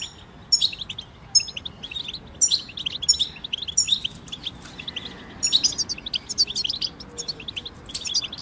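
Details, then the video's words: Several European goldfinches singing together, a group song played to help goldfinches sing and get through moult: bright twittering high chirps and trills in bursts, over a steady low background hiss. "بتبتة جماعية تساعد الحسون على التغريد والخروج من مرحلة غيار الريش"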